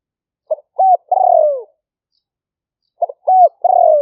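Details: Liu fueang style spotted dove call, a 2021 smartphone recording from rice fields at Nong Khu Phai, Roi Et, Thailand, for decoy trapping: two phrases of quick clipped notes, an arched upslurred note and a long descending coo.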